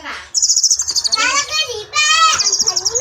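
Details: Long-tailed shrike singing actively in the klawean style: a dense run of buzzy, harmonic notes, a thin high whistle early on, then fast ringing trills and chattering phrases with barely a pause.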